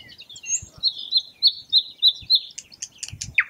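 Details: Thrush nightingale song: a run of loud, evenly spaced, high piping notes, about four per second, followed by scattered sharp ticks and a final descending slurred note.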